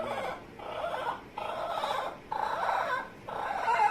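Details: Pet Amazon parrot making funny noises: a string of nasal, squawky mid-pitched sounds in bursts of about half a second to a second, with short gaps between them.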